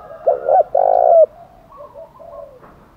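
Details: Fighting-challenge coo of a spotted dove in the 'thổ đồng' voice: a brief two-part note and a sustained low coo, followed by softer, more distant dove calls.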